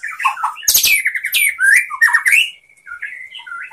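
White-rumped shama pouring out a varied song of rich whistles, harsh squawky bursts and rapid chattering phrases, ending in a long level whistle.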